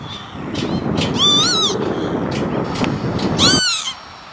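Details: Northern lapwing at an industrial site near Veenendaal in the Netherlands, 28 May 2013: two harsh, upward-sweeping wheezy calls over a heavy low rumble of background noise, which cuts out abruptly near the end.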